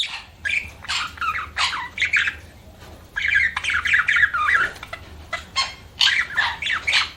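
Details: Budgerigar chirping in chattering bursts: scratchy, squawky warbles with wavering pitch, grouped into phrases separated by brief pauses, repeated throughout; low hum behind.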